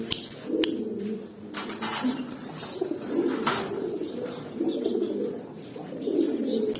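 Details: A group of young adult pigeons, eight to nine months of age, produce repeated low, throaty cooing phrases roughly every second, over intermittent clicks and wing or foot noises in an indoor setting.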